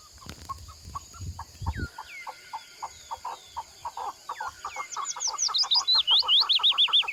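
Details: Partridges in the mountains calling: a steady series of short, low clucking notes about two to three per second, growing louder and faster, with a high twittering songbird joining toward the end.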